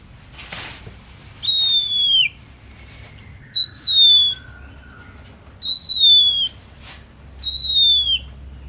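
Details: Oriental magpie-robin (kacer), described as singing nonstop. Four loud, pure whistles roughly every two seconds, most starting high and dipping downward at the end, with soft low tones between and a short rustle at the start.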